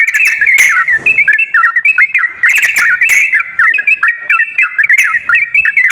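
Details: Yellow-vented bulbul song used as a lure to make a reluctant caged bird start singing: bubbly, quick whistled notes jumping up and down, delivered in short burbling phrases with brief pauses and occasional sharp clicks.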